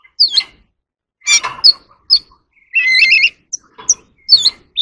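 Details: Oriental magpie-robin singing in competition, kept as an ornamental bird: scattered short phrases of whistled, warbled notes between 2 and 6k, with brief pauses, one longer trilled burst near three seconds.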